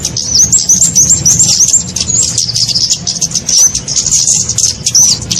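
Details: Flowerpecker lure recording for bird trapping: an opening burst of rapid high wavering twitters, then sparser thin chirps and a few sharp dipping notes, with faint low hum.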